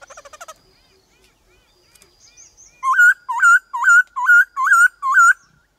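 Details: White-cheeked laughingthrush used to stimulate wild-caught birds: faint chattering and soft notes at first, then six loud upslurred whistles repeated evenly, roughly every half second.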